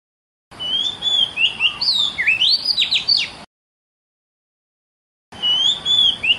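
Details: Lure song of an Oriental magpie-robin used to draw replies from young birds: a three-second run of sweet whistles, swooping slurs and quick upslurs, a pause, then the same whistled opening starting again.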